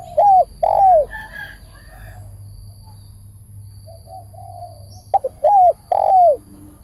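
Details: Spotted dove, linked to decoy trapping, calls loud, mellow coos. A pair of strong, slurred notes comes first. Quieter notes follow, then another loud set of three falling coos near the end, over a low hum.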